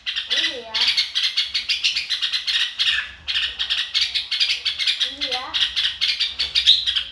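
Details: Chào mào, the red-whiskered bulbul, singing excited "ro kích bổi" style: quick strings of sharp chirps and slurred notes packed closely together. Brief lower voice-like tones rise twice in the background.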